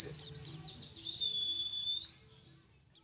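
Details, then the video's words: Young wild-caught mountain white-eye endemic to Mount Ciremai, Majalengka, West Java, about one month into training and beginning 'nembak' material: a few sharp high downslurred chirps, then a long steady high whistle before fading, with a faint low hum behind. "PLECI DAKUN CIREMAI || MASIH BERENGAN MUDA HUTAN"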